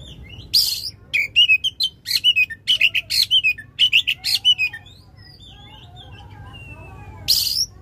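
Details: Oriental magpie-robin in loud, long-bursting song meant to prompt a stalled bird to sing: a rapid run of sharp, repeated whistled and buzzy notes for four seconds, a quiet soft warble, then a final harsh burst.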